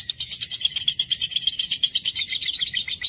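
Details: Lovebird ngekek chatter: a continuous run of harsh, high, grating notes packed closely together, slightly irregular in rhythm, filling three seconds.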